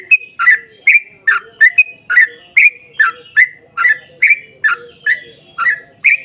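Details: Yellow-vented bulbul in rapid 'ropel panjang' gacor song for luring other bulbuls to sing: continuous string of about fifteen gurgling, rising-and-falling whistled notes, closely spaced and lively.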